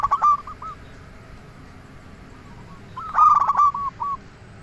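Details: Zebra dove song for luring wild doves: two loud, harsh, rapid coo bursts about three seconds apart, each trailing into a few softer rolling notes, with faint background hiss.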